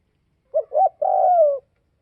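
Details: Single loud coo phrase of a northwestern Vietnamese spotted dove: two short rounded hoots followed by a long, smoothly descending coo, in otherwise silent surroundings.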